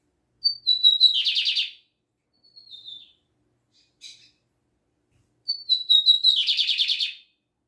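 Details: Lined seedeater singing a Libanês-style song: two phrases, each a high descending whistle breaking into a fast, buzzy, rattling trill, with a softer short note between them.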